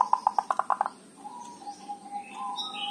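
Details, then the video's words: Local Javanese zebra dove used as a lure, starting with a quick burst of short tut notes that stops after a second, then soft low cooing tones while other small birds chirp faintly higher up. "Terapi singkat perkutut dhuduk dan kerot, sangat ampuh untuk pancingan"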